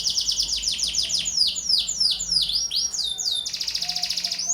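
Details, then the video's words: Young domestic canary singing vigorously, used as a lure and tutor song for other birds: fast repeated downward-sweeping high whistles, then bouncy dipping notes, ending in a dense buzzy rolling trill. "KENARI GACOR, [[ PANCINGAN KENARI PAUD. [[ccocok buat masteran burung lain"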